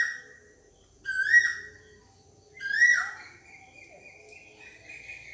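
A koel gives two loud, clear whistled notes about one and a half seconds apart, each swelling upward then dropping away, over a faint low background hum.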